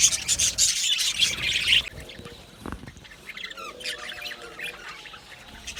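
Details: Budgerigars in an aviary colony: a loud, crowded flurry of high chattering chirps for two seconds, then quieter scattered warbles and buzzy twitters from several birds.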